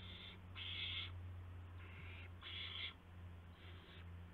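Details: Owls at the nest around midnight, March 19, 2016, as parents deliver mice and a gopher to the young. Breathy screeching hisses sound in clusters, some overlapping, over a constant low-pitched hum.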